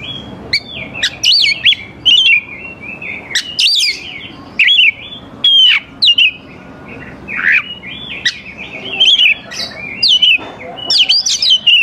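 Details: Song of an oriental magpie-robin for enticing young forest birds to respond, energetic mix of whistles, trills and abrupt sweeping notes in repeated bursts.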